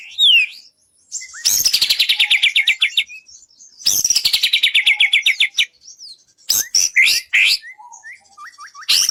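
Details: White-rumped shama song for contest training: two long rattling runs of fast repeated descending notes, separated by short whistles, then sharp clipped notes and quick rising whistles, some of them upslurred.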